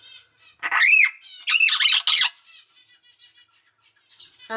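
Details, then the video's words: A three-month-old hill myna chick, sex not yet known, kept as a pet and not yet able to talk, gives two loud harsh arching squawks, then softer short calls, with a sharp clipped sound at the end. "九官鳥の鳴き声｜お喋りできない生後3か月の赤ちゃんです Crying Myna bird video"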